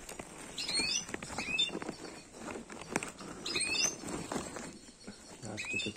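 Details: A European goldfinch in an outdoor breeding aviary in Greece gives brief bursts of high, twittering notes with quick upslurs, three short phrases a couple of seconds apart, over steady pattering and rustling noise.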